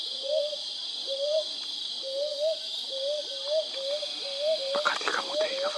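Brown Hawk-Owl giving soft, rising two-part hoots, 'hoo-wup', repeated about once a second, over a steady high insect hiss and a few faint clicks.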